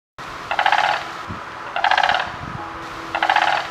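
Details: Sandhill crane in central Florida gives three loud, rolling, rattling calls, each under a second long and spaced about 1.3 seconds apart, over a faint low rumble.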